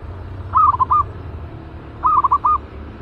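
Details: Caged zebra dove, a trained lure bird for trapping; two bubbling, cooing phrases of several rapid notes, roughly a second and a half apart, over low background hum.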